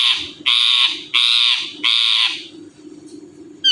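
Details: Ringneck parrot, a talking Indian bird, letting out three loud raspy screeches in quick succession, each about half a second long, followed by quieter low rustling.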